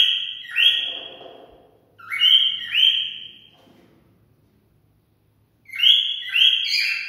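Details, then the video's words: Cockatiel song used to stimulate mating: loud whistled notes, each starting low and sweeping up to a held tone, given in pairs, with a three-note group after a pause. "Cocktail stimulating sounds for mating"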